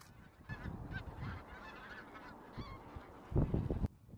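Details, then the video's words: A flock of migratory bean geese gives overlapping nasal, honking calls in a steady chatter, over low rumbling background noise with a brief loud thump near the end. "떼거리 큰기러기"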